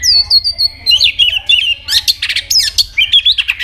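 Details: White-rumped shama in competitive song, opening with a string of high repeated notes stepping downward, followed by dense, rapid whistled and buzzy phrases.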